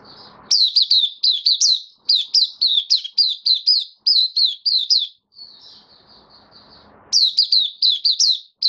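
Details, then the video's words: Mata puteh (white-eye) in a cage giving open "buka" song, 18 May 2022, post-deworming; long run of loud, rapid, high chirping notes, a soft trailing warble, then another fast burst of chirps. "Mata Puteh Kitaro buka sing"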